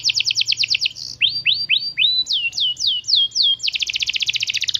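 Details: Canary singing as a lure for other canaries learning to sing: a quick trill, then a series of upward-swooping and downward-sweeping whistled notes about three per second, ending in a dense rapid roll.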